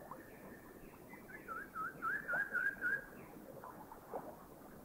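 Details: Rufous Woodpecker (Micropternus brachyurus) call recorded in a Thai national park (Khao Yai, Doi Intanon, Doi Suthep-Pui or Chae Son): a quick run of about seven nasal, mid-pitched notes in under two seconds over a steady hiss, with faint stray notes.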